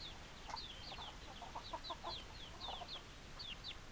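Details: Chickens clucking in low, short bursts mixed with frequent sharp, high, down-slurred chirps, several per second, against constant faint hiss.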